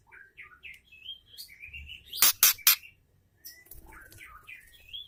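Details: Female white-rumped shama calling to stimulate males into singing: short whistled notes rising and falling, then three loud harsh rasping bursts in quick succession, followed by softer warbled whistles.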